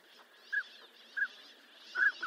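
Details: Northern pintail calling: short, soft whistled notes repeated at uneven intervals, the last two close together, over a faint background hiss.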